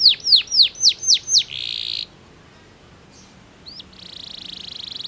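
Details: A powerful canary sings six quick, high, downward-swept whistles, then a dense buzzy trill; after a brief pause, another sweep leads into a long rattling trill, song meant to stimulate rival canaries to sing.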